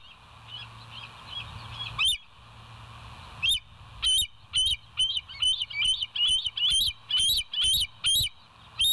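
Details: West End bald eagle on a live nest cam, early morning, 29 August 2023: shrill, piping chatter of high thin notes, first soft and quick, then louder, sharper notes spaced about every third of a second, over a low background hum.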